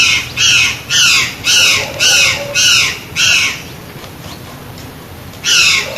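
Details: Plush-crested jay uttering a run of six loud buzzy squawks close together, then silence for about two seconds before one more call.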